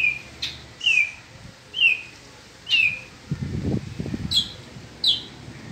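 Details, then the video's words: Peninsular mockingbird singing in spring: a clear downslurred whistle, repeated about once a second, with two higher sharp notes near the end and a brief low rumbling noise in the middle. "Hermoso Cenzontle Peninsular en Primavera."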